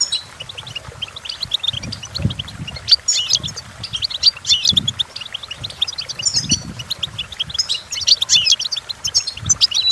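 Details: Goldfinch song for teaching goldfinches to sing: high twittering and jingling phrases over low rumbling background noise, the song somewhat masked in places.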